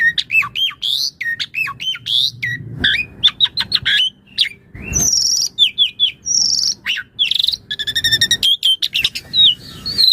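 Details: Full Asian pied starling song serving as a training master and lure for other starlings: fast, varied sequences of looping whistles, rasping buzzes, a harsh low squawk, and rapid rattling trills near the end.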